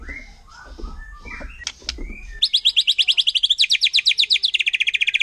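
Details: Forest white-rumped shama song intended to anger other shamas: soft mixed calls and rustling, then a loud fast trill of rapidly repeated high notes that shifts pitch partway through.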